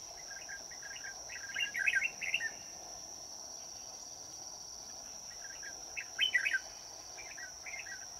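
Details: Red-whiskered bulbul heard while being trapped on a cold day, giving two bursts of rapid warbled, chattering notes about four seconds apart, with a constant shrill insect buzz throughout.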